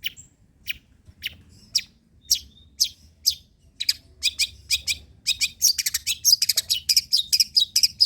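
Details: A long-tailed shrike gives old-style song material, used to prompt and tutor other shrikes. Sparse single sharp high notes about every half second quicken into a dense, rapid stream of high chattering.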